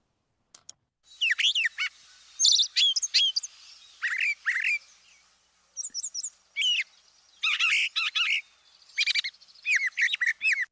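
A Brown Thrasher sings a varied string of rich, chirpy phrases, many given twice in quick succession, with short pauses between bursts.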